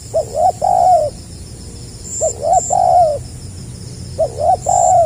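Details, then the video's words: Spotted dove, tekukur 'gagap rapat selang nguku' style, recorded 2020: three close phrases of two quick hiccup-like notes and a rounded, falling coo, delivered about every two seconds, faint high chirps in the distance. "SUARA BURUNG TEKUKUR GAGAP RAPAT SELANG NGUKU"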